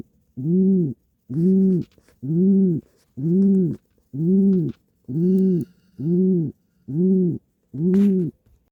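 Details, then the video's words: Happy nesting pigeon twitching its wings repeats a low, smooth, droning coo nine times in steady rhythm, about one per second, each note short and evenly arched, with faint light clicks in the background. "Happy pigeon in the nest making 'coo' sound and twitching wings"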